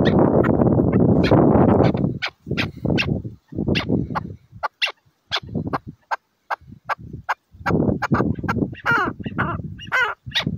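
A chukar partridge gives loud, harsh clucking notes in quick rhythmic bursts that speed up into a chattering run, with short pauses between series.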